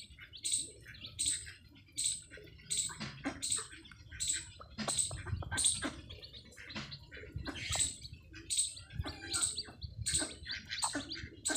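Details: Newly hatched chicks of a Desi hen on a free-range farm peep steadily, bright short chirps spaced roughly every half second throughout, with some softer lower clucking and faint farm background noise.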